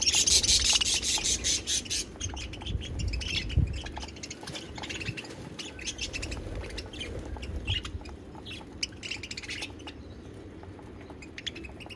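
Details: Pet budgerigars (parakeets) singing: dense, fast chatter of high chirps and squeaky warbles, loudest and most crowded in the first two seconds, then thinner scattered tweets over a low background rumble.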